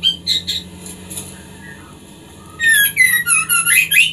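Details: Farmed white-rumped shama song used to encourage mating: sparse high chirps and a few soft slurred notes, then a burst of loud rapid sweeping whistles and twittering trills; faint low hum underneath.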